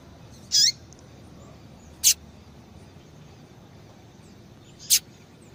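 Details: Female double-collared seedeater call meant to set males singing: one squeaky high chirp with a falling tail, followed by two sharp, brief clicking notes spaced a few seconds apart, over quiet hiss.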